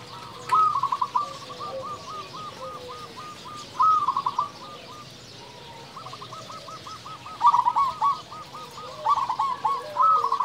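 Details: Local zebra dove, a persistent singer with a big voice, used to provoke other doves: loud bursts of clipped, stuttering coos opening into long even trills of repeated notes, with fainter trilling dove song in the background.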